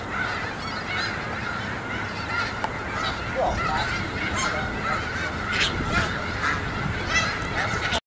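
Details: Snow geese from a migrating flock that has grown huge, crowding a school yard; a thick wall of honking and barking calls, overlapping without pause, with a few louder nearby honks toward the end.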